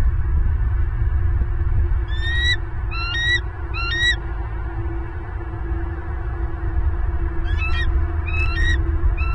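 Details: Bald eagle at a Southwest Florida nest holding its first egg, 30 November 2022, picked up by a live nest camera. Two bouts of three high, thin, rising whistled piping notes, set against heavy low wind rumble.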